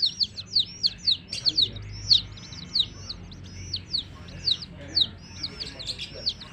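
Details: Chicks of the domestic chicken chirping, sharp high peeps that fall in pitch, coming in irregular runs with brief gaps, some louder notes standing out, low background noise.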